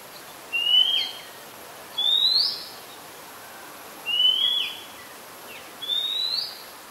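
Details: Oriental Magpie Robin, Copsychus saularis, singing at Ubon Ratchathani, Thailand, 2 July 2022; four evenly spaced, clear upward-sliding whistles, each roughly half a second, separated by pauses of about one and a half seconds, with faint background hiss.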